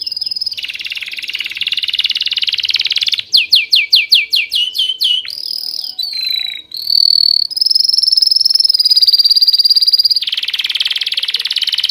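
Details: Birds chirping in a loud, varied song: a buzzy trilled passage, then a quick run of sharply falling notes, followed by clear high whistles and a rapid buzzing trill at the end.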